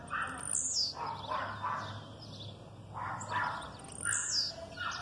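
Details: Aggressive song of a blue-black grassquit, female calls behind it: two short, high, downslurred buzzy notes roughly three and a half seconds apart, mixed with repeated mid-pitched chirping calls throughout.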